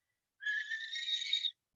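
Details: A barn owl gives its alarm call, one harsh, hissing screech lasting about a second, rough and breathy with no clear pitch, in an otherwise quiet setting.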